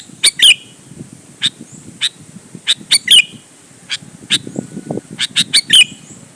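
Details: Sooty-headed bulbul in a loud, lively performance used as a lure to provoke other bulbuls to answer and sing: sharp, bright chips with squeaky notes, given singly and in quick pairs, with faint low rumble behind.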